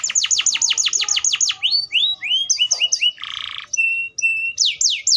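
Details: Atlantic canary song opening with a rapid roll of identical downslurred notes, followed by separate upslurred whistles, a short rasping buzz, steady flat whistles and sweeping notes at the end.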